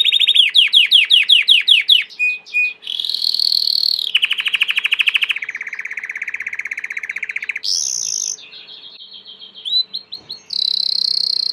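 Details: Belgian canary, a domestic canary, singing a varied song: fast repeated rising notes, then long buzzy trills, sharp high whistles and rolling phrases in quick succession, with a faint steady background hum.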